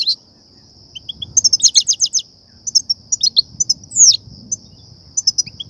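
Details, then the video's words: European goldfinch singing a stimulating batbata and satsata song used to lure goldfinches to nets: a run of fast repeated tinkling notes, more chirps, then a loud swooping slurred note and a few last twitters. "افضل بتبتة وستستة لتهييج و صيد الحسون"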